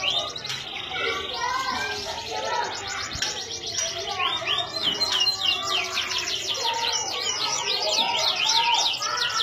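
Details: Canary from Indonesia singing a lively mix of sharp clicks, quick repeated notes and rolling high trills that build toward the end, among background twittering.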